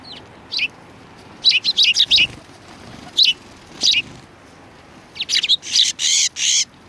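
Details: Sparrows coming to a Tenmangu shrine to be fed, February 7, 2020: short bright chirps, single notes, then a close cluster of quick chirps and a final run of loud repeated cheeps.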